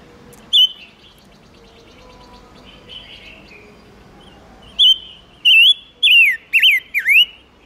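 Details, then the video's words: Silver-eared mesia singing as bait to attract wild birds and excite males: one short whistle, a long quiet gap with soft background chatter, then a string of four bright, swooping whistled notes. "Chim ngũ sắc mồi gọi bổi cực nhạy/Tiếng chim ngũ sắc hót kích trống căng lửa"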